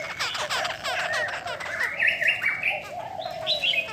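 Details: Female Chinese hwamei of the da bò type, caged, with wing and tail flicking, reputed to stir male birds; rapid whistled notes climbing higher through the clip over a low steady tone and busy background chirping.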